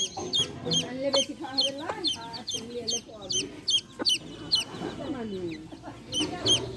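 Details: Baby chicks with their hen, giving bright, sharply falling peeps repeated about two or three times a second over the mother's low, murmured clucks.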